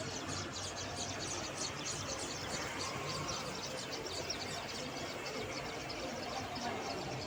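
Sparrow nestlings chirp nonstop in a dense, high, rapid chatter of short squeaky notes over a steady background hiss.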